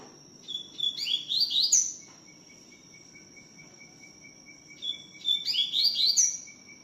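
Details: Two phrases of tui tiu style song from a double-collared seedeater, each a hurried string of rising, sliding whistles ending in a higher note. A continuous high tone and a beaded lower trill fill the gaps.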